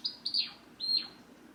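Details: Hand-tame Java sparrow kept as a pet in a cage, calling out as its owner rises to leave: two quick high chirps that dip downward, followed by a longer sliding chirp, in a quiet room.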